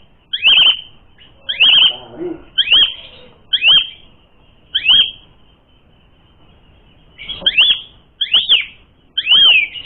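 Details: Asian pied starling singing a fighting lure: crisp looping whistles, each falling sharply at the end, given in spaced bursts about every second, a quiet gap of some three seconds, then another run of the same notes.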